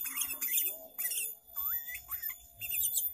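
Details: Trapping lure song of a sooty-headed bulbul with variations: a rising whistled note and short looping whistles, framed by dense, high, hissing chatter before and after.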